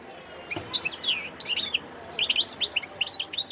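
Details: European goldfinch, a wild bird, sings at Sidi Bel Abbes, Algeria, in December 2021: two bursts of quick, liquid tinkling notes and high twitters separated by a short pause.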